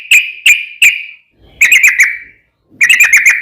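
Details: Yellow-vented bulbul in 'ropel' song meant to lure other bulbuls into answering: three loud ringing notes, then short bubbly clusters of quick chirps separated by brief silences.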